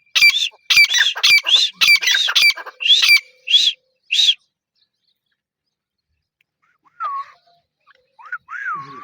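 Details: Grey francolin, with its voice described as the female's. It gives a fast run of loud, harsh, arched notes, about two each second, for three seconds. After a pause, fainter downslurred notes follow.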